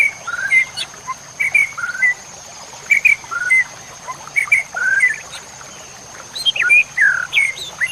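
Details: White-rumped shama song, full-fill masteran for training competition songbirds: a varied run of short whistles, slurred upward and downward phrases, and clicks in bursts with brief gaps. A constant high whine sits beneath.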